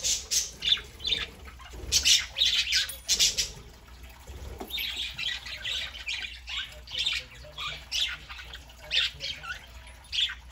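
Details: Pet parakeets indoors on a Saturday morning, a small group including a three-month-old young bird, chattering with bursts of harsh squawks and warbled notes, loud clusters early then steadier lower-level chatter throughout.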